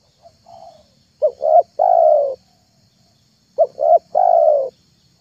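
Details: Lure recording of a spotted dove meant to draw in wild, young and mute doves. A soft opening coo is followed by two phrases, each of two short quick notes and a longer, drawn-out falling coo, in a quiet background.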